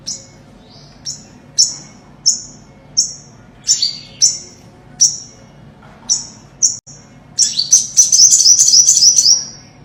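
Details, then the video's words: Olive-backed sunbird song played as a trapping lure: short, very high, sharp notes repeated about every half second, then a rapid, shimmering high trill at the end. "Tiếng chim Hút mật 5 màu chuẩn mp3 | Ornate Sunbird | Olive-backed Sunbird"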